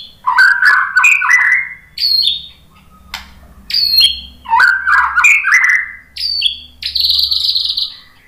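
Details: White-rumped shama singing to stimulate other shamas to sing: varied phrases of rich whistles and slurred notes, high piercing upslurs and fast rattled bits, with short pauses between phrases.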